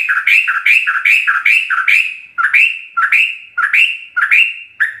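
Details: Yellow-vented bulbul ropelan song used as training material for caged birds, here harsher and buzzier, with fast rolling chirps that slow slightly in the second half.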